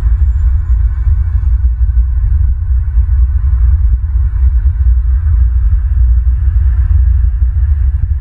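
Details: Heavy low-frequency rumble and faint steady hum throughout, free of any animal voice.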